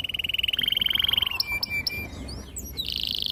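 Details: Canary song used to lure young birds into singing: a rapid rising pulsed trill, a few sharp clipped notes, then a dense buzzy high roll.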